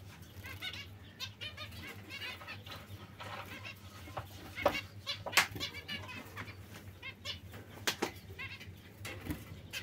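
Zebra finches give short nasal, toy-trumpet beeps in quick overlapping bursts, with scattered clicks and rustles in the background.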